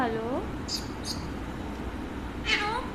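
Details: ['Pet Alexandrine parakeet known for talking, giving two short arching, voice-like vocalisations at the start and near the end, with brief hissy clicks between, while its owner coaxes it to eat indoors.']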